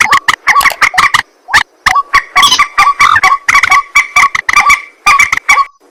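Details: A white-breasted waterhen at night gives a dense, almost continuous series of harsh croaking notes, nasal and buzzy, with barely a pause between the repeated grunts.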